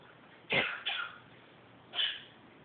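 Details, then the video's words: Male African grey kept as a pet, coughing and clearing his throat: two short, harsh, hissing coughs in quick succession, then a brief pause before a third rasping cough. "Coughing Bird"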